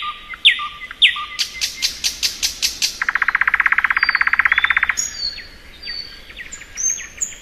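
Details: Thrush nightingale in spring song. Short whistles give way to a burst of clicking notes, then a long rapid rattling churr of about forty strokes. Thin high whistles and twitters follow.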